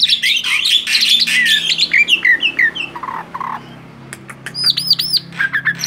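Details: Tame male Javan pied starling in full, lively song: a rapid run of varied whistled and chattering notes, then softer low notes, sharp clicks and looping, ringing whistles near the end.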